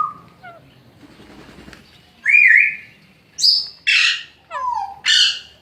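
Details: Alexandrine parakeet baby under care at a Sunday market in Lalukhet utters loud, buzzy, screeching calls, five strong bursts in the last half, after soft rustling and a few faint whistled notes.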